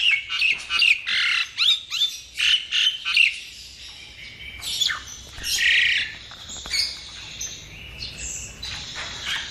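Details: Jalak nias (common myna) with 'isian' song for tutoring other birds: a series of loud harsh squawky chirps about twice a second, then a grating buzz and softer whistled phrases.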